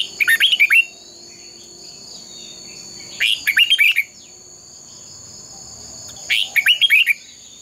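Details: Red-whiskered bulbul giving its fighting song, used to stir other bulbuls into competitive singing: three short, bright warbling phrases about three seconds apart, each a quick run of slurred chirpy notes, over a steady high-pitched background hum.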